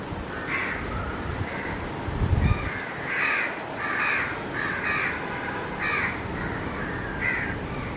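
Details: A baby white-throated kingfisher gives harsh, rasping calls about once a second, calling its mother; another adult kingfisher, presumed the mother, is heard calling in the background over a low rumble.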